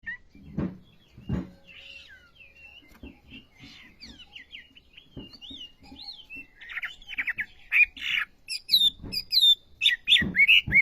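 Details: Olive-backed sunbird, known locally as wambi, in lively full song: quiet thin notes at first, then loud high sharp chips and rapid twittering slurred phrases building toward the end, with faint low knocks beneath.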